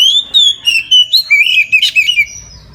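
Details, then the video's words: Oriental magpie-robin giving loud full song at midday, used as a prompt for other magpie-robins: sustained sweet whistles sliding down, then a rhythmic string of short, bright whistled notes. "KACER NGEPLONG SIANG HARI COCOK UNTUK PANCINGAN KACER AGAR NGEPLONG DAN RAJIN BUNYI"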